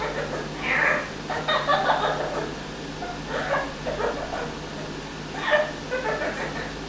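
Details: Male Amazon parrot kept as a pet, mimicking an evil laugh it developed in one week; raspy, voice-like cackles in short bunches, a strong burst near the start and another later, with a background hum.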